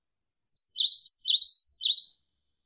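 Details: Javan sparrow (gelatik wingko) song from a tutor recording for songbird training: a tight series of five high, swooping chirped notes in under two seconds, otherwise quiet.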